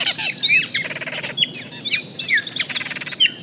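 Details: Austral Blackbirds, very social birds that always move in groups, give a complex, varied song of clear rising and falling whistles, buzzy trills and rattling notes in quick succession.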